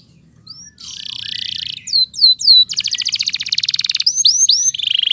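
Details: Canary song to encourage lazy canaries to sing again: a buzzy roll, a few looping whistles, then a fast even pulsed trill and further curved whistles ending in a rapid chatter.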